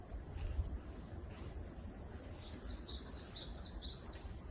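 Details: A Japanese tit sings in the morning in a forest, a quick run of high two-note phrases alternating slightly higher and lower notes, over a steady low outdoor rumble.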